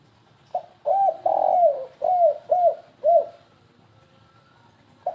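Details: Spotted dove (tekukur) lure call in the stuttering kuk-3 style: low, hollow coos, a short note then a long drawn-out coo followed by three shorter falling coos, quiet background.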